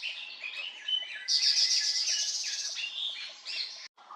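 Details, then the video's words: Siberian blue robin from Khuangthli and Reiek, Mizoram: quick chirps swell into a loud, high, shimmering run of fast notes. The song then eases back into separate slurred chirps before a brief break. "Siberian blue robin"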